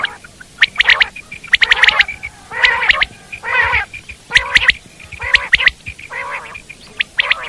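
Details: Loud common quail in the wild, alternating sharp whistled three-note phrases with harsh, rasping mewing bursts, about one a second.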